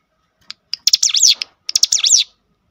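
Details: Cinereous tit song used as a lure to make other cinereous tits sing: short ticks leading into two clean bursts of fast, high sweeping notes against silence.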